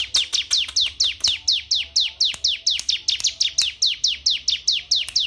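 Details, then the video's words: Canary from Wonosobo, trained from scratch, singing a fast run of high, downward-sweeping whistled notes, about four per second, in steady even phrases throughout, with a faint low hum underneath. "FSL CANARY WONOSOBO"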